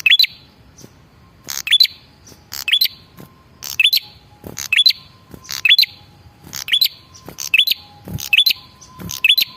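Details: Male red-headed prinia lure call: sharp buzzy chips, each followed by a short rising whistle, in double bursts about once a second, with a faint steady hum in the background.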